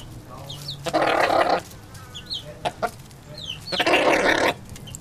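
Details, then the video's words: Chickens eating: two long, harsh, rasping bursts about three seconds apart, with short clucks between them and faint high chirps above. "Chickens Eating And Making Funny Noises"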